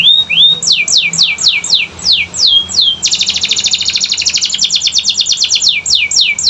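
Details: Canary singing, played to make silent canaries respond: a couple of rising slurs, a run of steep descending sweeps, then a long, very fast rattling trill mixed with quick sliding notes.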